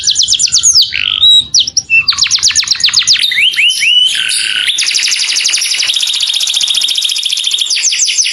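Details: A canary calls to its companion in a clear voice. Varied phrases of quick high notes and short buzzy sweeps give way to a long, even, rapid trill held at a steady high pitch.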